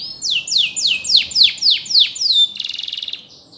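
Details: Canary singing for song training: eight loud downward-swooping notes in steady succession, then a soft, very fast buzzy trill fading out.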